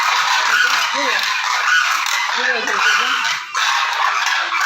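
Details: Demoiselle crane, locally called koonj: a few short, harsh honking calls with arched, rising-then-falling tones, spaced irregularly about a second apart, heard beneath a strong steady hiss like wind or handling noise.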